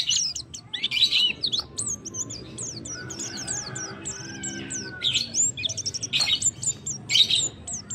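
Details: White-eye male calling the female, giving busy, thin, high twittering with fast clipped chirps and slurred notes in tight runs and louder bursts near the start and end.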